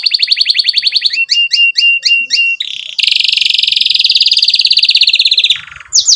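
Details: Canary singing as a lure so young canaries learn quickly: rapid trill, a series of paired chirps about three per second, then a long buzzing roll and a final high note.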